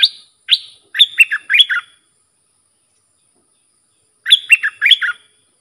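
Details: Red-whiskered bulbul training song for young birds and for luring aggressive wild birds: two sharp introductory notes, then a burst of rolling warbled notes, silence, and another fast warbled phrase.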